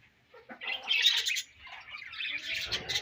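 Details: Budgerigar colony chirping: dense, scratchy high chatter with short squawky notes, rising in loudness after a brief quiet start and continuing unevenly.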